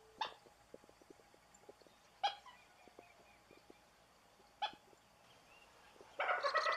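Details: Common Gallinule (Gallinula galeata), Brazil: loud, abrupt, harsh clucks roughly every two seconds with soft ticking notes between, ending in a sudden raspy, scratchy burst.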